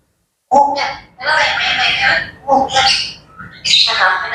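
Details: Grey parrots chattering in the morning: three loud bursts of harsh, harmonic, speech-like chatter with squawky edges, separated by brief dips, rising into a higher squeaky note at the end.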